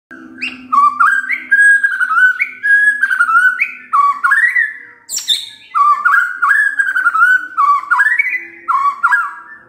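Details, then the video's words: White-rumped shama (murai batu) song used as a pancingan lure track, showing off its full repertoire. Loud, clear whistled phrases that slur up and down, repeated in quick bursts with short pauses and a few sharp higher notes. "Pancingan Murai Batu Bongkar Isian"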